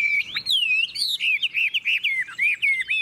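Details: Chinese hwamei singing in a cage in Vietnam, its voice described as true forest quality: a rapid, unbroken stream of piercing whistles that swoop up and down with barely a pause.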